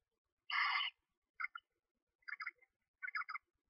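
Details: Screech owl owlets, two newly hatched chicks only one to two days old, in a nest box while the mother feeds them; short raspy chirping bursts, one longer burst then three quicker clustered chirps about a second apart, indoors-quiet background.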